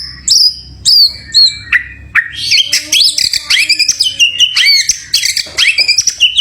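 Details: Champion White-rumped shama singing spaced, clear descending whistles that give way to a dense run of rapid looping, warbled notes.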